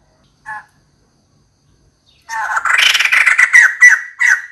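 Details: Female White-crested laughingthrush calling for a mate: one short note, a pause of nearly two seconds, then a loud burst of harsh, fast chattering cackles that runs to the end.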